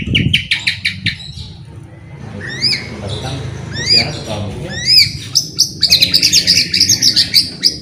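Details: White-rumped shama singing briskly as a prompt for silent shamas: after a low thump, scattered upslurred whistles build into a dense, rapid run of high chattering notes.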